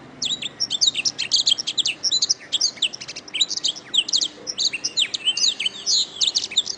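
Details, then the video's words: Canary singing a master training song, a dense, high-pitched run of rapid trills, buzzy rattles and chirped notes in continuous varied phrases, with a clean quiet background. "Masteran Terbaik Kenari"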